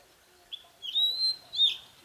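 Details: Red-whiskered bulbul used as a decoy bird, singing in the ché style to provoke rivals: a short upward note, then a long clear whistled phrase held high and steady, ending with a brighter accented note.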